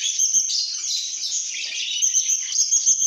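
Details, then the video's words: A group of happy lovebirds chirps rapidly, with bright piercing twitters and thin whistled squeaks in a quick, busy stream. "lovebirds make happy sounds"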